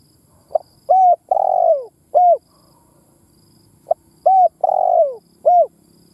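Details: Spotted dove decoy in full calling bout: a clipped note, an arched coo, a long downward-sliding coo and a last short arched coo, the phrase given twice with a pause between.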